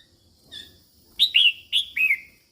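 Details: Female red-whiskered bulbul singing to excite males: two quick pairs of loud, clear whistled notes, each pair a sharp rising note and then a falling slur, after a softer opening note, over a faint low hum.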